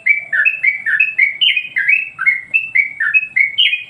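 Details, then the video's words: A Yellow-vented Bulbul sings its master song to agitate other birds, a rapid, lively series of short slurred notes stepping up and down, roughly three per second. "masteran burung Trucuk bikin emosi burung yang lain"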